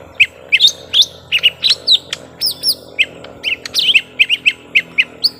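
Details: Lesser green leafbirds, young birds locked in a long fight, giving a rapid run of twisting, bent chirps with a few higher squeaky notes mixed in, almost without pause.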